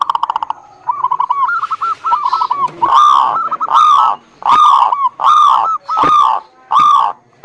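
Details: Zebra dove song used as a lure for a bird that seldom sings. A rapid rattling run of short notes gives way to evenly spaced, longer ringing coos, about one per second.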